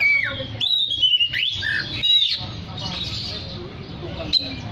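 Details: Energetic oriental magpie-robin song used to call others of its kind: bright whistles with downward slurs and a rising sweep in quick succession, then quieter scratchy notes, with a low rumbling background.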